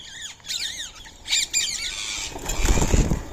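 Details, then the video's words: Free-living Indian ringneck parakeets visiting to eat soaked rice and corn on a March morning at 6:30; a few harsh arched screeches in quick succession, then a patter of rustling and background noise. "Today's Indian Ringneck Parrot Feeding | Natural Bird Sounds"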